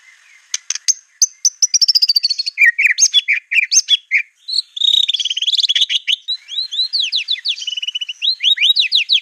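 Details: Clear white-rumped shama master song meant for copying: scattered sharp clicks and high notes give way to rich slurred whistles, a rapid buzzy passage, and then quick steep upward sweeps repeated in a fast series.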